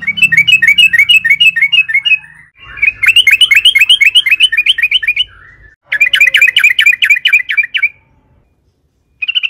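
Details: Yellow-vented bulbul in long continuous song to stir other bulbuls into singing: three fast bubbly chattering runs with brief breaks, notes about four per second, faint low hum beneath the first.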